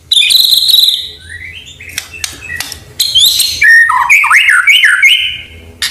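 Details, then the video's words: White-rumped shama song full of canary and cililin imitations. A high buzzy opening and scattered sharp chips are followed by a rolling series of looping whistled notes rising and falling, ending in an even whistle. "murai gacor full isian kenari cillin"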